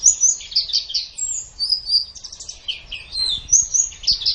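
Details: Pleci, a white-eye, singing a master recording used to train competition birds: high, sweet warbling phrases mixing short chirps with longer drawn whistles, fast and varied, over a quiet background.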